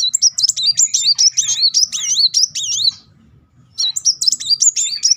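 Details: Van Hasselt's sunbird singing as a lure to provoke other birds: fast, high, zigzagging trills in a dense burst lasting about three seconds, a brief pause, then the same rapid wavering phrase resumes.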